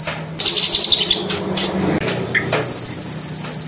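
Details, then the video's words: Two cililin from a Bengkulu bird farm sing against each other: brief high trill, then scattered sharp chirps and clicks, ending in a long rapid, even run of thin high notes repeated many times a second. "ISIAN CILILIN"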